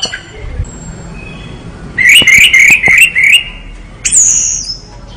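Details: Orange-headed thrush giving a run of five quick, rising, slurred whistles, then a single very high, thin descending whistle after a short pause; background otherwise quiet.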